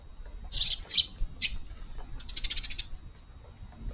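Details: Eurasian tree sparrows at breakfast in a garden on the morning of July 16, after rain. A few quick high chirps are followed by a rapid, softer run of twittering notes over faint background noise.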